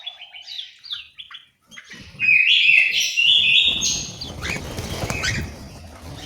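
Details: Orange-headed thrush in a Malang, East Java aviary: short downslurred chips and a brief pause, then a loud, rich warbling phrase that trails off into softer twitters over a low rumble.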